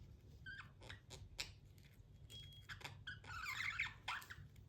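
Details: Pet budgerigars indoors giving short scattered chirps and squeaky notes, with a brief thin whistle and a denser burst of harsh chattering near the end over low room hum.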